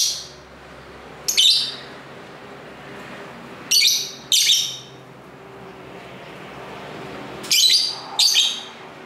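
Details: Several lovebirds calling to each other indoors, taped with a camera's built-in mic near street traffic: six sharp, screechy chirps, mostly in pairs spaced a few seconds apart, with a low steady hum underneath.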